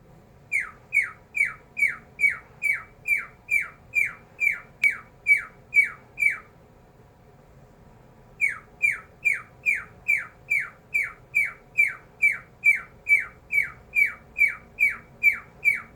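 A cockatiel repeats sharp, downward-sweeping laser-like chirps in rapid, steady series.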